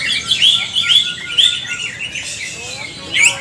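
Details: Green leafbird (cucak ijo) singing in a group training session with other birds, described as a wild-style, bursting, diligent singer; clear whistled phrases in quick rising and falling sweeps, irregular bright chirps, with faint background chatter.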